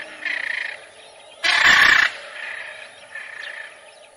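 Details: Macaw with a faint harsh call, then one loud, coarse squawk of about half a second, followed by two more quiet distant calls.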